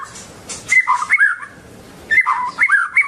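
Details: White-rumped shama with a long tail gives two bursts of fluty whistled phrases, each a quick rising-and-falling warble, separated by a short gap; faint clicks and background hiss.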